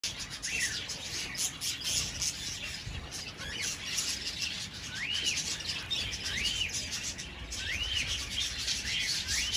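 Slowed-down finch calls: drawn-out, arching notes that rise then fall, repeating every second or two over a steady rough hiss.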